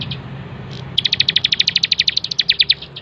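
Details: Bar-winged prinia, a master recording for training cage birds, giving a fast run of sharp, high chirped notes at roughly even spacing after a brief faint opening note; a low hum underneath.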